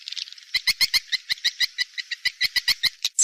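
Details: Swiftlet attraction call for a nest house, 'seruling sakti' style: a soft twitter followed by loud, evenly spaced clicking chirps, about five a second.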